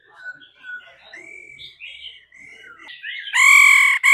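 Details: Laughingthrush singing, excited by a female's calls, with rich varied whistled phrases and gliding notes, then a final loud burst of harsh, nasal, ringing notes.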